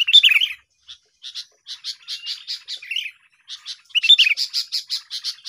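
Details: Sooty-headed bulbul in a lively chirping duel, sound used to lure birds for trapping: bright bubbly warbled phrases open and close, with a run of short, evenly spaced high chirps between them.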